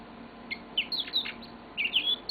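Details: A few clear, bright whistled notes and quick chirps from a pet yellow-fronted canary mid-song, the notes sliding up and down, with soft room hum behind.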